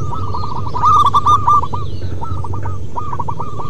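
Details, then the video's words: Local wild zebra dove (perkutut lokal alam) singing manggung, used to lure and stimulate other doves: rapid bursts of short staccato cooing notes, several runs repeated, with brief higher chirps over them and a steady low rumble beneath. "Perkutut MASTERAN BUNYI Manggung Terlama"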